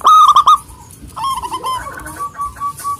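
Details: Loud zebra dove song of a local bird calling rivals: a burst of strong, deep, hollow cooing notes, followed by softer rolling, stuttering coos that trail off evenly.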